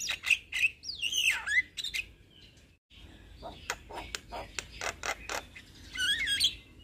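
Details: Young Javan myna singing freely, kept for training and stimulating other mynas; twisting whistled phrases, a short pause, then clipped harsh chattering notes and a final whistled flourish.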